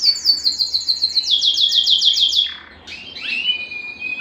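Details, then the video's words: Canary song for breeding stimulation: a string of clear descending repeated notes, about four per second, a short pause, then rising slurred whistles and a steady tone. "صوت الكناري الاصلي ( صوت جبار يحفز الذكر ويهيج الأنثى للتزاوج )"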